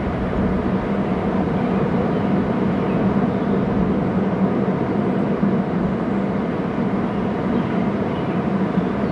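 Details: Steady broadband rumble like wind or distant engine noise, with a low constant hum and no animal calls heard.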